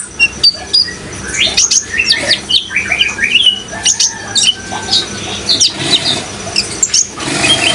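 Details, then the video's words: Brown-throated sunbird singing prolifically over running water: rapid high thin chirps and short rising and falling whistled notes in quick, busy bursts, several overlapping, with steady water noise beneath. "suara kolibri ninja gacor dan suara air"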